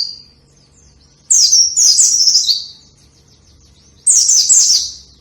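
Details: White-eye song for training lazy singers: two loud bursts of rapid high twittering, each a run of sliding downward notes lasting about a second, separated by quiet gaps with faint soft chips.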